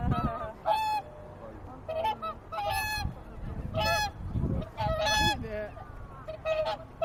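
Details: Resting swans at Lake Utonai in Tomakomai, Hokkaido: several clear, harmonic honking calls in irregular bursts with short quiet gaps, over a faint low background hum.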